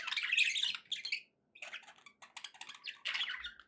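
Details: Happy pet budgies give short bursts of squeaky, chirping chatter, quieter overall, separated by brief gaps.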